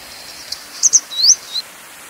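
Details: Grey wagtail, Motacilla cinerea: two sharp high chips close together, then a rising slurred whistle and a short thin note, all very high-pitched, over a steady soft hiss.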